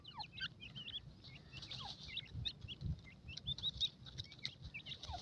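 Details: Grey francolin chicks give a stream of thin, high peeps, short upslurred and looping whistles scattered through the clip from several birds. A low, uneven rumble lies underneath.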